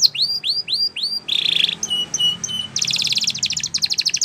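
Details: Canary song for training, Spanish Timbrado style: four upward-curving whistles, a dense buzzy rattle, spaced chip notes, then rapid metallic trills.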